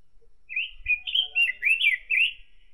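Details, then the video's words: Orange-headed thrush, known in Indonesia as pancawarna, singing a clear whistled phrase of rapid rising and falling warbled notes, a run of about six bright syllables with short gaps, over a faint low thump. "KICAU BURUNG PANCAWARNA || ROBIN BIRD VOICE"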